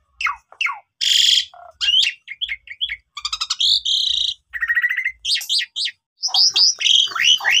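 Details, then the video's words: Asian pied starling song played to push sulking starlings into singing: sharp downslurred notes, a hissing squawk, chips, a fast rattle, buzzy tones and a closing flurry of twisting slurred whistles, loud and varied. "Coba Gunakan Pancingan Ini ! Semua Jalak Suren Yang Lagi Pundung Macet Bunyi Seketika Langsung Emosi"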